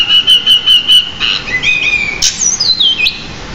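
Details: Pied bushchat song-training recording in nonstop form, rich in borrowed phrases. It opens with five evenly repeated flat whistles, then a falling warble, a harsh burst and a long descending whistled glide.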